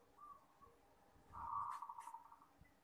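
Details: Local zebra dove singing at night gives a soft, purring coo: a brief low warble rolling quickly at mid pitch, preceded by faint cooing notes, with quiet night background.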